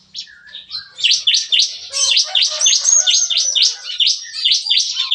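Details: In a breeding aviary, a bar-winged prinia sings in the morning with the crowded "nembak-nembak" shooting style. About four sharp, high chirps per second roll out evenly, and softer lower chatter sits underneath.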